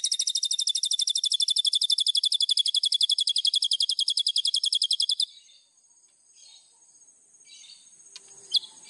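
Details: White-rumped shama in full song, used as master song for training birds: a rapid, evenly pulsed high trill of sharp notes lasting about five seconds, then near silence with faint soft chips.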